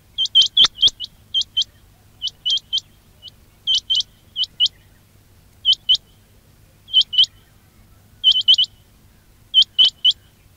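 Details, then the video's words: Repeated quail calls offered as a trapping lure. Bright, hooked, rising notes come in clusters of two to four, separated by short gaps, with faint low-pitched hum underneath. "quail batair ki awaz"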